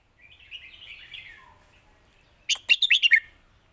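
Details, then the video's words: Red-whiskered bulbul giving the Lak Wai master song: a soft, wavering whistle, then a quick burst of five loud, liquid, slurred notes near the end. "นกเสียงทอง!!เพลงลากหวาย สุดยอดเพลงแม่บท"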